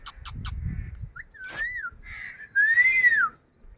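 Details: Indian ring-necked parrot talking face to face: short squeaks, then a sharp screech and long smooth whistled rising-then-falling tones, with low background murmur.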